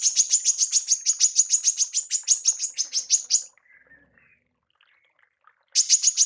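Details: Female manggar call used to train songbirds: a fast, steady series of high, clipped chirps, about three to four per second for over three seconds, then a quiet pause with faint soft notes before chirping resumes.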